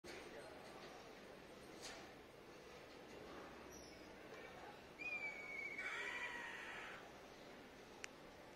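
An eagle gives a single thin, high whistled scream that slides gently downward over about a second, against a steady hiss of background noise.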